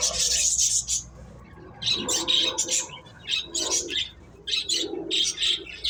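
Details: Finches chirping while playing: a long high twittering burst, then a series of short separate chirps in quick uneven succession, with a few lower squawky notes.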